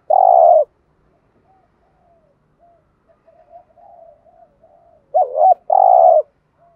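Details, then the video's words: Spotted dove pair, male and female, cooing to excite a trained bird. A long steady coo opens, quiet gentle murmurs follow, and then a quavering double note leads into another drawn-out coo. "cu gáy thúc gù bài bản/ tiếng chim cu gáy kích bổi mới rất hiệu quả/ cu đất thúc gù"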